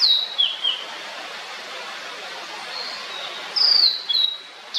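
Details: Blue-and-white flycatcher: a loud whistled note dropping in pitch, a few short slurred notes, a quiet gap, then a bright descending whistle and a short rising note, with light background hiss.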